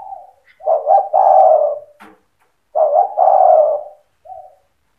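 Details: Spotted dove singing the 'cetretan' style meant to stir other doves to answer: two loud phrases of stuttered double coos drawn into a long purring coo, each followed by a soft trailing note, with a faint click between them.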